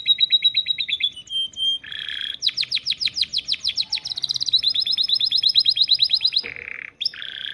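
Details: Canary trained with lovebird song delivers a long, varied song: fast repeated high chips, a buzzy trill of rapid descending notes, harsh rasping bursts and steady whistled tones, all high-pitched and energetic.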